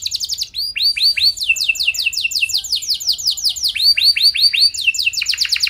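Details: Canary song used to get other canaries singing: long runs of loud downward-sweeping whistled notes, repeated rapidly in overlapping series with brief changes of pace.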